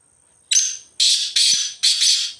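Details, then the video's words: Loud grating phrase from a wild black francolin roaming the jungle: one sharp note and three longer scratchy bursts, about two seconds overall, in a still setting. "Kala Teetar Ki Awaz Black Francolin Voiceجنگل میں ازاد گھومتے ہوئے کالے تتر کی خوبصورت آواز"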